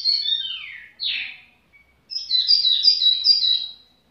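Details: Tiểu mi bird in leisurely song: two loud descending whistled slurs, a short silence, then a rippling, high-pitched trilled phrase.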